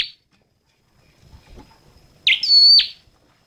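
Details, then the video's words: A single phrase from a red-headed flowerpecker: a bright swept opening note that runs into a sustained, pure high whistle and ends with a quick downward flick. A faint low rumble sits underneath. "Tiếng chim Sâu Đầu Đỏ hót chuẩn"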